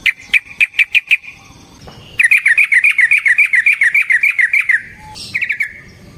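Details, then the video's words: Fighting song of a Yellow-vented bulbul, used as a lure to provoke singing: a short run of crisp notes, then a long fast chattering series of about four bubbly notes per second. "Suara Burung TRUCUKAN gacor TARUNG ROPEL PANJANG pancingan trucukan agar JADI trucuk gacor EMOSI"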